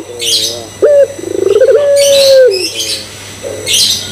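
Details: A single pelung-type Barbary dove phrase, used to coax other doves into cooing: soft wavy notes, a sharp note, a burst of rapid pulses, then a long even coo fading. Bright chirps of small birds sound around it.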